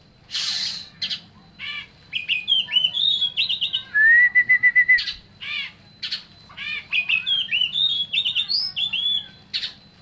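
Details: Oriental magpie-robin in full, energetic song: a fast, varied stream of whistles, rising slurs, buzzy rasps and a run of rapid repeated notes, loud and continuous.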